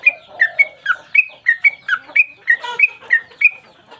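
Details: Yellow-vented bulbul (Pycnonotus goiavier) singing a lively run of short, bubbly whistled notes, about three per second, alternating higher and lower pitches.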